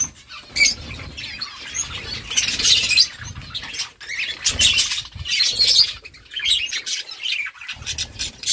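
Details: Chirping budgerigars talking to each other: bursts of high, raspy chatter and squeaky notes that swell and fade every second or two, with soft low rustling between bursts.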